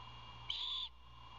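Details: Begging owlet asks for dinner and its father responds by delivering food; one raspy, high, steady screech of roughly four tenths of a second cuts through a faint electrical hum.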